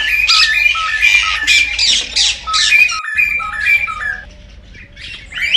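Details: Cockatiel song played to stimulate breeding: loud squawks, then stepped sequences of whistled notes climbing and falling like short scales, with the calls fading toward the end.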